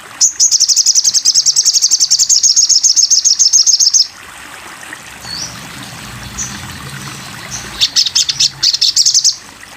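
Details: Sogon bird in a masteran (tutor) recording: a four-second run of very high, rapidly repeated trilled notes, then near silence with faint notes, and a final short burst of high chatter.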